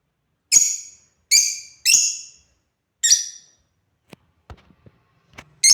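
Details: Four shrill grating calls from African lovebirds at play, delivered in the first three seconds, followed by soft clicks and tapping and a final squawk at the end.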